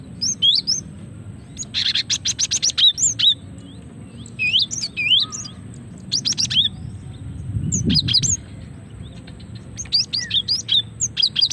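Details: Female cinereous tit calling, used as a lure to draw birds and provoke reluctant males into singing; sharp high chirps in scattered clusters with two buzzy, rattling bursts around the second and sixth seconds, over a faint low hum.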